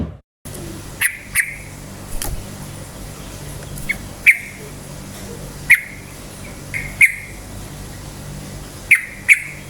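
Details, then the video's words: Yellow-vented bulbul, an active singer with rapid 'cukcuk' song, used to provoke other bulbuls to sing; sharp clipped notes come in pairs roughly every one to two seconds over a steady low hum. "suara KICAU burung trucukan gacor cukcuk ropel, pancingan bagus trucuk jadikan trucukan ropel EMOSI"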